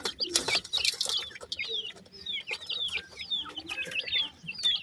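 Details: Grey francolin (teetar) chicks, several calling together: a dense stream of thin, high, down-slurred peeps, overlapping and irregular, broken by sharp clicks and knocks.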